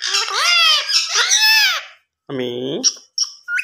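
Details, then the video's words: Pet rose-ringed parakeet talking, imitating human speech: harsh, nasal, word-like squawked syllables with wavering pitch, followed by a short lower human-like phrase and a few brief high chirps. "Talking parrot"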